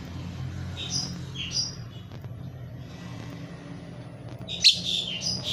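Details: Lovebird kept without a mate, chirping in two short bursts of squeaky, high twittering notes separated by a quieter stretch, the second burst sharper and louder, with a low background rumble throughout.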